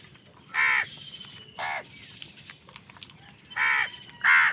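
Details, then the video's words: Crows angrily contesting food with other wild birds: four loud, raspy caws in two pairs separated by a pause of about two seconds, with soft bird chatter between. "Wild birds fight with crows for food | Crow bird unity anger and sund | Angry kawa ki awaaz"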